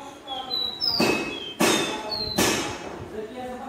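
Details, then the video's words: A captive caboclinho pé-de-serra seedeater, taken to a metalworking shop, sings clear, high whistled notes, some sliding down and some held level, while three loud knocks or thumps break in at intervals. "CABOCLINHO CANTANDO MUITO"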